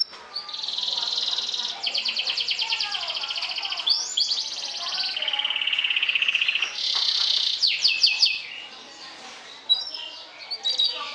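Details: Lure song of a canary meant to provoke rival canaries: a long, busy sequence of buzzy rattling trills, falling slurred phrases and rolling notes that run almost unbroken, with brief sharp chirps near the end.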